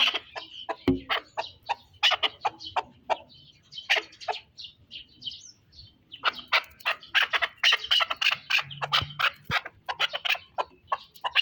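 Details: Chukar partridge from the Pamir calling in rapid, uneven bursts of sharp chattering notes, with a short quieter pause midway before the chatter resumes densely.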